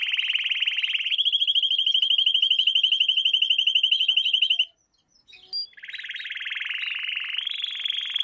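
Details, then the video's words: Canary in song for a training lesson for young canaries: a long even rapid trill lasting over four seconds, a short silence, then another buzzy trill rising a step in pitch. "Canary Singing - lesson 16"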